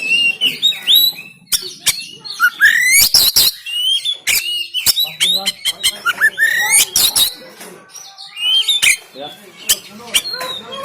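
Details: Caged oriental magpie-robin in Banten, recorded on a phone, singing a coarse aggressive song used as a training model; rapid mix of sharp clicks, buzzy rasps and bright rising whistles throughout.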